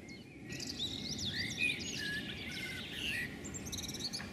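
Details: Female common blackbird scolding on a house roof before flying off: a busy run of harsh, chattering high notes, steady over four seconds against a low rumble of background noise.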